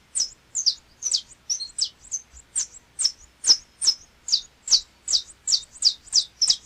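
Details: Brazilian Saffron Finch song: a fast, slightly irregular string of high, piercing chirps, each dropping quickly in pitch. A brief thin whistle is tucked in between some notes.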